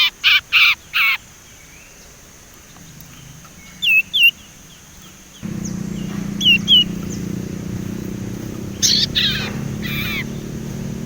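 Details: Raw young Sumatran leafbird chattering and learning to whistle: three scratchy opening notes, a pair of brief bright whistles, then faint hooked notes and harsh chips over a rising low rumble of background noise.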